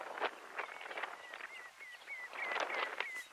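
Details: A black guillemot (Cepphus grylle islandicus) gives a fast series of thin, high, downslurred whistles, three or four a second, against bursts of rough background noise; Flatey, Iceland, June 2019.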